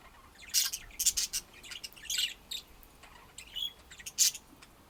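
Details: Pet budgies squawking and chirping in loud bursts, with buzzy chatter and a rising whistled note between.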